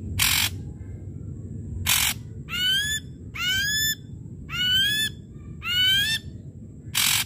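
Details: Ashy drongo singing loudly as a lure for quiet drongos: harsh noisy blasts alternating with four rising, slurred whistles, each whistle about a second apart from the next blast.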